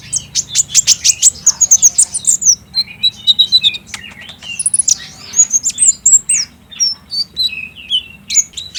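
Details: Chattering sunbird song, used as a lure to set a caged bird singing, filmed on a phone: fast, high, scratchy twitters and thin slurred whistles in a continuous run, over low background hum.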